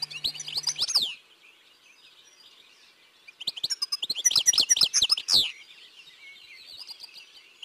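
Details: European goldfinch singing in Côtes d'Armor, France: two quick high-pitched bursts of twittering notes with rolls and trills, separated by about two seconds of quiet, phrases of uneven length.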